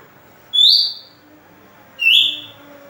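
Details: Two bright, high upslurred whistles about one and a half seconds apart from an Oriental magpie-robin, a song used to lure and stimulate other birds, over faint background hum.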